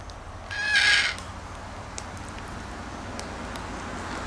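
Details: Red-tailed black cockatoo uttering one brief, coarse, buzzy screech near the start, then quiet open-air background with scattered clicks.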